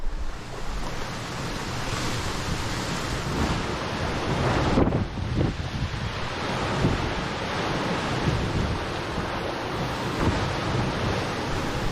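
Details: Steady surf and sea wash with heavy wind buffeting, and no animal calls anywhere.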